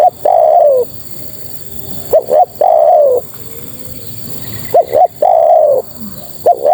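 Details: Calling female spotted dove summoning males: three phrases, each a pair of short clipped notes leading into a longer descending coo, spaced about two and a half seconds apart.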